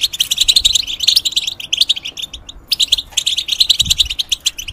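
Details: Caged European goldfinch, described as a moulting goldfinch, singing a fast, dense twittering song of bright chirps and trills, with a brief pause near the middle before the rapid chatter resumes.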